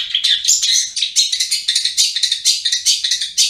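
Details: Cendet, the long-tailed shrike, in gacor ngriwik song. A rapid, continuous flow of high, squeaky and scratchy twitters, slightly rising and falling, with no pauses.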